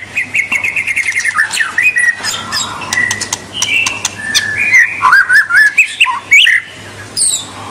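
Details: White-rumped shama song used to stimulate young and juvenile birds to sing: varied whistled phrases near mid pitch, a run of quick repeated notes, then rising and falling warbled whistles with sharp clicks; steady low hum beneath.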